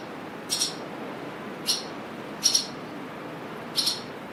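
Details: On a windy day, swallows give four short, bright chirps, some doubled, spaced roughly a second apart over a constant hiss of wind.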